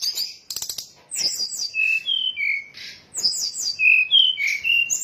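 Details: Brown-chested jungle flycatcher (sikatan rimba dada coklat) lure call used for trap-catching: busy, high, scratchy chirps mixed with clear whistled notes, some rising and some falling, delivered in quick varied bursts with short gaps.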